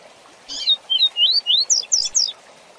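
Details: Tui tui zel zel song of a rusty-collared seedeater, fast version used to tutor young birds: one short buzzy note, then a rapid run of upslurred whistles rising steadily in pitch.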